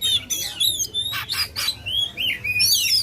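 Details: Loud Oriental magpie-robin song meant to rouse competition birds: quick sequence of sweet whistled slurs, sharp upward sweeps and brief harsh squeaky notes delivered almost without pause.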